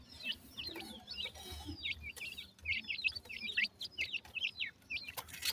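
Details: Several black francolin chicks calling while they feed and play: thin, high peeps, each bending quickly down then up, given in quick succession about every half second, with faint clicks and low rustling behind.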